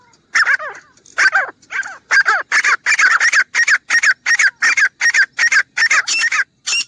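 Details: Grey francolin calling loudly in a fast, insistent run of harsh, grating notes, about two to three per second. The opening notes slide downward, then the sequence settles into an even, pulsing rhythm.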